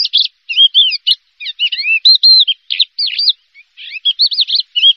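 A Javan bush lark sings a fast, varied stream of high chirps, trills and slurred whistles in quick bursts, with brief pauses between phrases.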